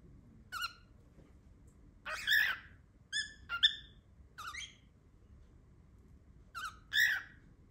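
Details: Cockatiel making loud noises, possibly trying to say a word: spaced, harmonic whistled notes, some short and falling, some longer and rising, scattered over eight seconds against faint low background hum.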